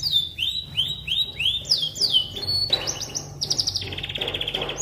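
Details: Canary song meant as tutoring material for white-rumped shamas: a row of slurred whistles sliding downward, followed by dry rattling trills and a high metallic buzz.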